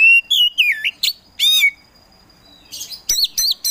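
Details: Oriental magpie-robin (kacer), a kept songbird, singing in bursts: whistled, sweeping notes and buzzy chatters, some phrases swooping down then up, with a quiet pause mid-clip before more varied whistles.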